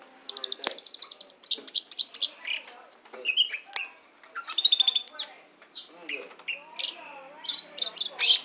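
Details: Long-tailed shrike song: a busy, varied stream of sharp chirps, harsh notes and short whistles, with rapid clicking runs, a few clear pure whistles midway and faint lower warbling behind.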